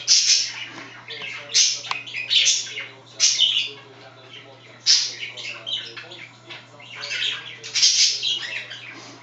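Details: Two pet budgerigars chatting while another scratches itself: scratchy warbles, clicks and shrill squeaky notes in loud clustered bursts separated by quieter murmuring, over a low hum.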